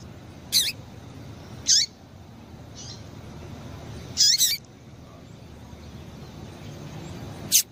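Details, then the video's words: Female double-collared seedeater calls to stimulate males: high, sharp notes sweeping downward, some doubled, given in irregular bursts about five times, with faint background hiss. "Piado de Fêmea de Coleiro"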